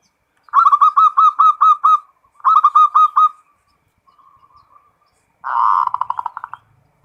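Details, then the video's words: Local zebra dove delivering full 'ngerot' song: two bright phrases of crisp repeated whistled coos, a faint soft trill, then a dense rolling burst of rapid pulsed notes that trails off. "SUARA PERKUTUT FULL NGEROT"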